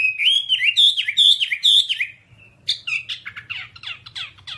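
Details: A whambie, recorded as a master song for training other whambies, gives a run of bright, high, slurred whistled notes at about two a second. It then breaks into a quick jumble of sharp chirps over a faint hum.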